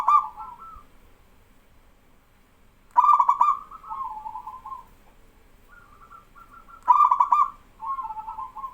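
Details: Male zebra dove of local stock in full song, drawing replies from novice doves. Two loud, rolling, purring coo phrases ring out, each followed by fainter trilled answers from the other birds.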